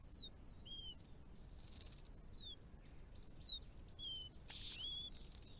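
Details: Hooded robin, a threatened breeding resident seen year-round on an Australian property with mixed shrubs, trees and open spaces, giving thin, high whistled notes, short falling slurs repeated every half second or so, over a soft low rumble of wind.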